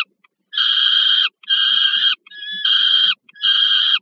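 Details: Peregrine falcon nest site at Żerań, Warsaw, Poland, 15 August 2022, with food brought to a young bird: four loud, rasping, evenly pitched wails lasting most of a second each, one with a thin whine before it.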